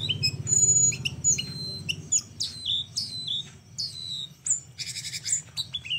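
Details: Flowerpecker song in an unusual style, kept as a training recording for other birds: varied thin, high whistled notes and quick down-slurred chips in uneven bursts with short pauses, over faint low background hum.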